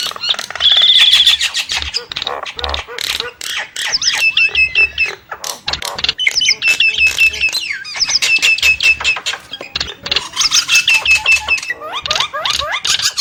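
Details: Nias hill myna giving a dense medley of shrill whistles, clacking notes and speech-like squeals, with repeated bright looping phrases throughout.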